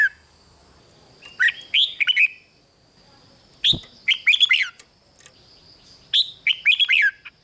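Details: Rik-style song of a red-whiskered bulbul from Thailand, meant to stir up listening birds: three chirpy phrases of warbled notes with a sharp click between them and a constant thin background tone.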